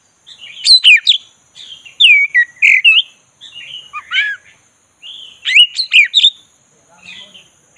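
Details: Black-breasted magpie-robin (kacer dada hitam) stirred to sing, giving loud varied phrases of sharp chatter, bright looping whistles and descending slurs in four or five bursts separated by short pauses.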